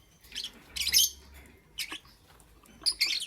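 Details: Shrill, scratchy lovebird chirps heard in the morning, given in short harsh bursts separated by brief quiet spells, over a faint low hum.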